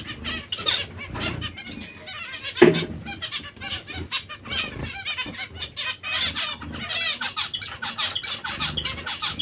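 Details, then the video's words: Several zebra finches from breeding pairs give rapid, overlapping nasal beeps and buzzy chatter, building in density toward the end, with one sharp knock-like sound near the middle. "Diamante mandarino/coppie riproduttive"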